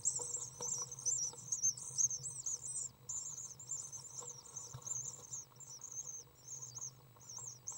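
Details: Eight-day-old common swift nestlings being fed by a parent inside a nest box in June 2012 give shrill, rapid chittering trills in quick overlapping bursts, fading slightly toward the end, with a faint low background hum.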